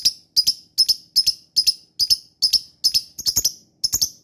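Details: Lovebird lure calling to provoke answering birds: crisp, high double chirps, each pair coming about every half second in a steady run.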